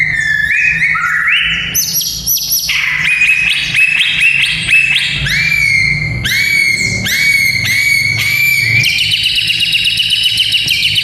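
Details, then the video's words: White-rumped shama song played to train the fighting spirit of young males: loud, varied whistled phrases stepping between about 2 and 8k, with sliding notes and bursts of rapid rattling, steady low hum beneath. "Murai Batu Fighter - Suara Ini Melatih Mental Fighter Murai Muda"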